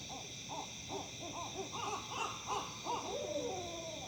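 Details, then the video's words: Owls in Tennessee give a string of quick hoots that rise and grow louder, ending in a drawn-out sliding wail, with continuous high droning behind. "Owls Hooting, Making Odd Noises."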